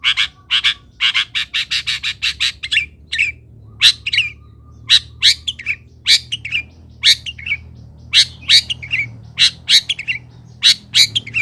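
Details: Long-tailed shrike master song for training other birds: a fast opening rattle of harsh ticking notes, then a long mix of chirps, squeaks and short scratchy phrases over a steady low background hum.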